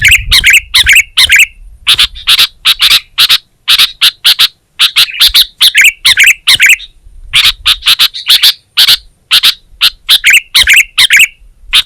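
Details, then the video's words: Sooty-headed bulbul in sustained gacor song, giving dense bursts of sharp chips and short bubbling whistled phrases, about two per second, with brief gaps between bursts. "Suara Burung Kutilang Gacor"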